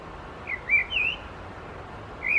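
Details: Common Blackbird singing in the background in Helsinki, Finland, in July 2024 while a Hooded Crow preens on a stone; a few short fluty whistled notes, slightly slurred, spaced across the clip over a quiet outdoor hiss.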